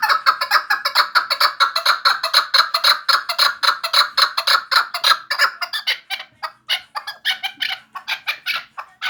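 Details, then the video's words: Vanj chukar partridge giving a long, fast, rattling run of repeated chuk-chuk notes, dense and loud at first, then breaking into looser, more spaced clucks toward the end. "Кабки Ванҷ"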